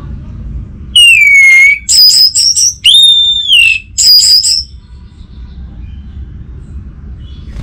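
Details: Orange-headed thrush, a caged bird in North Bali, sings clear loud whistles, a long falling whistle and a level one, interspersed with rapid high twittering notes, then quiet.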